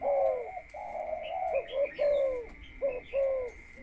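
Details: Caged spotted dove conditioned before breeding and used as a decoy: a long purring coo followed by short clipped coos and a falling phrase, with faint chirps and a steady high hum.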